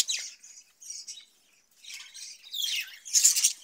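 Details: Caged budgerigars, offered cucumber in the summer heat, give a few scratchy chirps and short warbled phrases separated by brief quiet gaps, ending in a louder rasping squawk.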